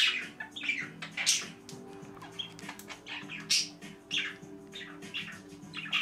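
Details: Pet budgerigars indoors, loud while a water animation plays, chatter in quick, uneven bursts of high, scratchy chirps and squawks over a steady low hum.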